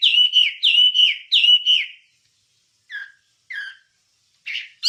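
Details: Wambie from a masteran training recording: three loud, clear whistled phrases that each slide down at the end, then silence broken by a few short single notes.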